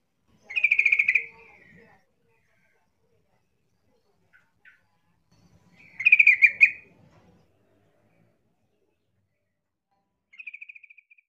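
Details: Yellow-vented bulbul taunting rivals: two sharp, buzzy chattering bursts about five seconds apart, ending with a softer, thin pulsed trill near the end.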